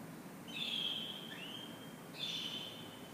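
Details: Canary morning song: a sustained, bright, high whistled note that slides slightly, a brief upward slur, then another long, even whistle over faint hiss.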